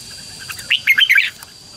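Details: Red-whiskered bulbul song aimed at calling wild birds and rousing a decoy bird: one brisk phrase of four or five bright warbled notes, over a steady high tone.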